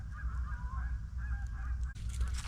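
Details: Distant geese heard near the water at a campsite in Clayton County, Iowa, honking in a loose, overlapping chorus of nasal calls over steady low wind rumble, with a brief louder burst near the end.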